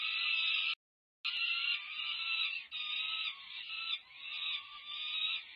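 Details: Peregrine falcon chicks over five weeks old, nearing first flight, beg loudly as they are fed at a UC Berkeley nest, May 2023: a sustained rasping wail, one short break, then steady screaming.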